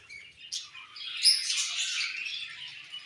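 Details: Budgerigars chirp while being fed in the morning. A sharp high squeak leads into a steady stream of scratchy, warbling twitters from a few birds.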